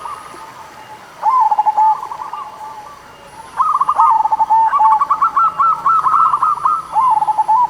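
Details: Singing local zebra dove, a lure for sluggish singers; after a second of quiet, rapid trilling coo phrases follow one after another for several seconds, steady and rolling, with a faint high hum behind.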